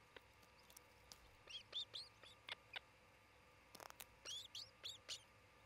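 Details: Osprey at a nest in Charlo, Montana, where a pair is building a new nest, recorded by a nest camera around midday on 27 June 2018; bursts of sharp, high chirping notes, some in quick runs, over steady low background hum.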